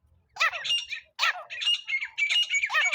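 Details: Francolin (teetar) call used for net trapping: bursts of raucous, scratchy squawks starting after a short silence, a brief pause, then a continuous string of harsh grating notes.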